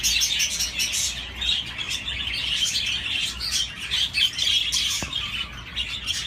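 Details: Steady high-pitched budgie chatter, warbled chirps and short squeaky notes crowding together, with a single sharp click near the end.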